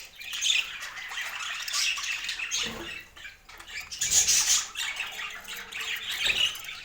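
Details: Budgerigars tasting food: continuous busy chirping and warbling chatter, scratchy and high, with occasional louder squawks, plus soft rustling and pecking sounds.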